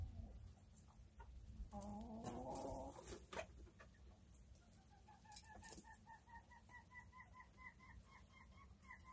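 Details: Chickens enjoying their day: soft, rapid clucking notes repeated in a steady run through the second half, after a brief lower, rising murmur, with scattered clicks and a low background rumble.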